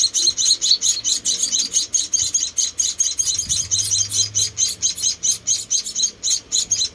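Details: Rescued munia babies, four together, during feeding: dense, shrill chirping in quick bursts, high-pitched and scratchy, repeated more than twice a second, with a soft low thump partway through.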